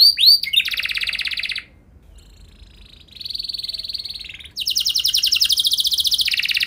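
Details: Canary singing for training other canaries, with a few curved whistles, a dense buzzy trill, a short pause, a steady thin high tone, then a fast rattling trill.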